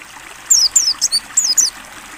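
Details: Mountain white-eye singing on a training recording for cage birds: a brief burst of high, clear, downslurred chirps over about a second, set against a steady background of trickling water.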